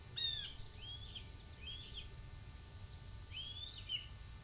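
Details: Deyani, a young male red-tailed hawk near the nest, gives thin, high, drawn-out downslurred screams in bursts of four or five at his mother flying by, begging for food, over a low rumble, 2 July 2023.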